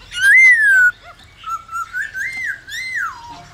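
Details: Black-throated laughingthrush song, played to stir caged birds to sing and train young birds: a loud, rich whistled note rising then falling, followed by a run of slurred, wavering whistles that rise and dip, ending on a falling whistle.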